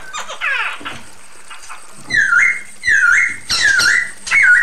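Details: Female Chinese hwamei calling a male: a harsh, descending rasp first, then four loud, bright whistles, each dipping and rising again. These come roughly once a second.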